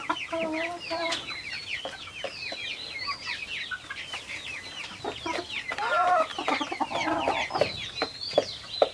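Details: Many Silkie chickens at a farm, loud and close, producing a busy chorus of thin slurred peeps and chirps, some longer rising-falling notes, with scattered clatter.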